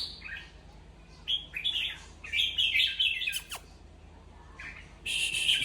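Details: Red-whiskered bulbul singing to rouse other bulbuls: short whistled chirps build into a rich, rollicking warble, then a pause and a rasping, noisy burst close by.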